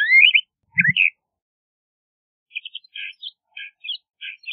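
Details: LeConte's thrasher: a rising whistle and a slurred note open the clip, then after a pause come soft clipped chirps in a quick, uneven series.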